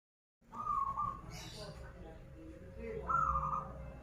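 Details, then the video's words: Local zebra dove from Banten in full song, krital style: two short trilled, vibrating coo phrases about two and a half seconds apart, with a murmur of voices and low background rumble. "Perkutut lokal gacoran suara krital"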